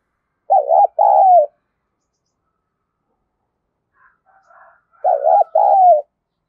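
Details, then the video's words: Spotted dove of the 'giọng thổ' voice style giving its calling coo: two bursts of hoarse, throaty cooing notes, a quick stuttered opening then a longer falling coo, with a quiet pause and faint softer notes between. "cu gáy thúc gù và gáy gọi cực đỉnh/ cu gay giong tho cuc dinh"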